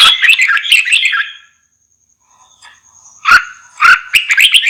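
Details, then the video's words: Red-whiskered bulbul delivering a fast, chattering warble, then a long pause, then further lively whistled bursts mixed with crisp clicks. "TIẾNG CHIM CHÀO MÀO"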